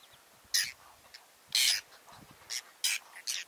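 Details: Whiskered tern calls from a breeding colony in Russia's Astrakhan State Nature Reserve, late July 2017, nests among water chestnut and lotus: five or six loud grating screeches, one longer, spaced by short pauses, faint background murmur.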